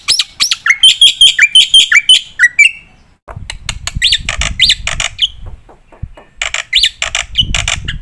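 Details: Black-winged myna singing with a full repertoire, used to stimulate and tutor other birds. Quick, sharp repeated notes and a falling slur come first, then sparser squawky calls over a low rumbling background.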